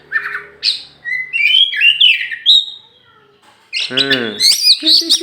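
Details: Tame champion oriental magpie-robin in Meulaboh, Aceh, set free outdoors before being put in its cage, sings bright rising and falling whistles and chattery notes, then a person speaks briefly near the end.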